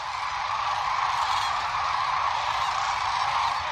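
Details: A vast gathering of Sandhill cranes along the Platte River during peak northern migration, several hundred thousand birds in view; their overlapping rattling calls merge into a steady, unbroken roar without pause.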